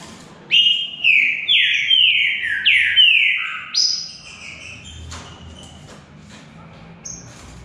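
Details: Green-winged saltator singing in a contest between two birds: a run of six strong, sweet whistles, each sliding downward, about one every half second, ending on a higher note, then quiet with faint clicks.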